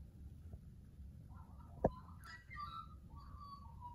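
A magpie sings a string of mellow, warbling flute-like notes that slide up and down in pitch, after a single sharp click, over a low background rumble.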